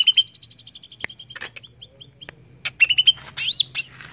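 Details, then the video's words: Greater green leafbird singing, a recording meant to trigger song in other birds: strings of short clear whistles, sharp clicks, then a lively burst of upslurred and warbled notes near the end. "Cucak ijo langsung bunyi dengar ini!!"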